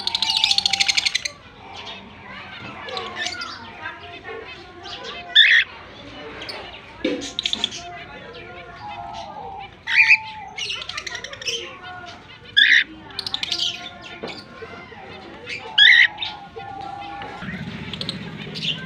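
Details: Breeding pairs of cockatiels give sharp, shrill chirps and whistled calls in short bursts every few seconds.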